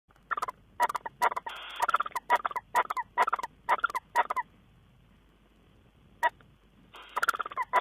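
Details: Tawny owl, 2 June 2010, gives harsh, stuttering, mid-pitched calls in quick bursts about twice a second, pauses briefly, then starts again.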